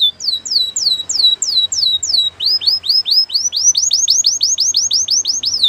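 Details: Canary song meant for training other canaries: high, clear downslurred whistles repeated about three per second, then a faster rolling tour of similar falling notes, with no other sounds.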